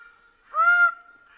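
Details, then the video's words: Greater bird-of-paradise giving a single loud, nasal, honking note lasting under half a second. "Greater bird of paradise sound"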